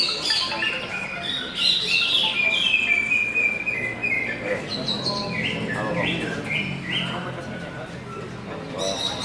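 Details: Greater green leafbird, called cucak hijau, singing with ringing, run-on phrases of rapid chirps and whistled notes, some sliding down, with faint background noise.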